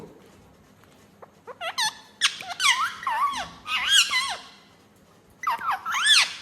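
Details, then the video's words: Ringneck talking parrot kept as a pet indoors, giving a run of rapid squeaky, wavering chatter notes that rise and fall. There is a pause, then a second burst of bright looping squeaks. "Talking Parrot"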